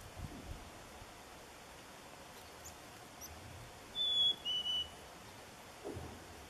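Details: Chickadees at a lake in Nevis, Minnesota, on a morning at 1 degree; one gives a clear two-note whistle, high then slightly lower, while lake ice, possibly forming or cracking, booms low and muffled now and then.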